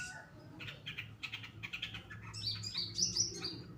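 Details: Tutor recording of a long-tailed shrike, Pastol type, in full song: a run of short clipped chattering notes building into shrill, twisting high whistles and squeaks at the end, with a low hum underneath.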